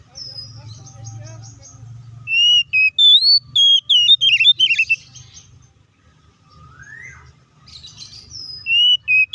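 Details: White-rumped shama fighting song aimed at provoking other shamas: after a stretch of low background rumble, bright whistles and a brisk burst of warbled notes, a gliding rising whistle, then more whistles at the end.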